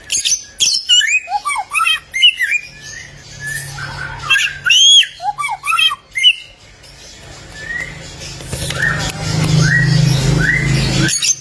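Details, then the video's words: Bare-throated whistler (golden samyong), a songbird from the Lake Kelimutu area of Flores, East Nusa Tenggara, Indonesia. It gives varied loud whistled phrases with rising and falling slurs, later thinner upslurred notes over a low hum, indoors. "AMAZING SOUND OF THE GOLDEN SAMYONG BIRD"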